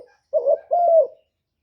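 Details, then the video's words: Single spotted dove coo phrase used as a lure for wild doves: a short wavering note followed by a longer, smooth, slightly falling coo, then silence. "CU GÙ CỰC SUNG BÀI BẢN DÙNG ĐỂ MỞ KÍCH CHIM BỔI, TERKUKUR, Tiếng chim cu, cu gáy kích bổi"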